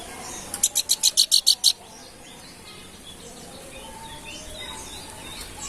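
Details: Babbler called planduk bukit giving a single burst of eight quick, bright chirping notes in about a second, followed by several seconds of quiet background hiss with faint distant twitters.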